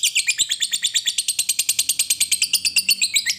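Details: Lovebird in long ngekek chatter, used as a lure to get other lovebirds singing: a rapid unbroken series of sharp, high, buzzy chirps, about eight per second, steady throughout.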